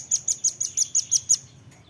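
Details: Short burst of Velvet-fronted nuthatch song used to train caged birds: eight piercing, high chit notes in quick, even succession, fading out at the end.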